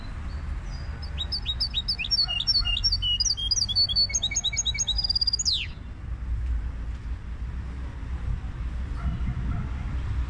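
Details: Goldfinch hybrid singing a fast series of high, repeated whistled notes and trills that ends in a sharp falling glide, followed by several seconds of quiet with only low hum.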